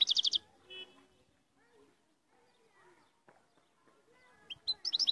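A European goldfinch bursts into quick, bright, tinkling twitters at the start and again at the end, with a nearly silent pause between and faint murmurs in the background.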